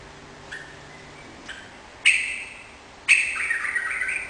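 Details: Sooty-headed bulbul singing actively: two faint short notes, then two loud bright bursts of bubbly, slightly descending warbled notes about a second apart, with a quiet low hum in the background.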